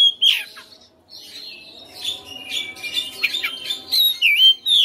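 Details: Oriental magpie-robin kept at home, singing persistently with its learned fillers: loud slurred whistles falling in pitch, a brief pause, then a busy stretch of mixed chirps, rasps and warbled whistles ending in bright looping notes.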